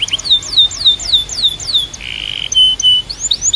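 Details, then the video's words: Canary sings a string of falling whistled slurs about three per second, broken by a brief buzzy note and short flat whistles, then rising chirps. "Ultimate Canary Singing Compilation"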